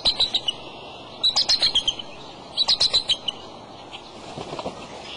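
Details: At the nest with eggs on March 23 in the afternoon, the male bald eagle utters two bursts of fast, shrill chittering notes, then the sound fades to quiet background rustle.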